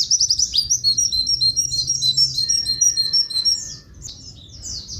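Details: Javan grey-throated white-eye song used as a training master, with long horn-like "tulit tulit" phrases. Dense, rapid high twittering of clear whistled notes repeated about three times per second, over a steady low hum.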